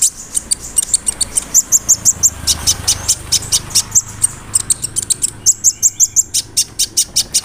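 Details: Sunbird (kolibri ninja) song meant to spur another bird to sing, filled with cricket, cililin and sparrow imitations: steady rapid high ticking, about four notes a second, with buzzy slurs between runs.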